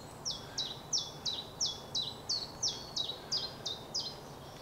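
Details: A chaffinch sings in woodland on a misty, sea-fogged morning at the very end of March on the Scottish coast, giving a steady string of about a dozen high notes falling down the scale, roughly three per second, over soft background hiss.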